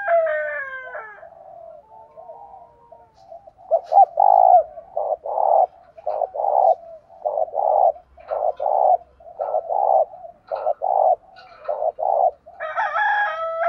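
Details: Caged decoy spotted dove giving a calling coo with one trailing note, in 'thổ' voice, meant to stir wild males. Opens with another bird's stacked, bright call, then a steady run of low, hollow coo phrases, roughly one per second. A bright call returns at the close.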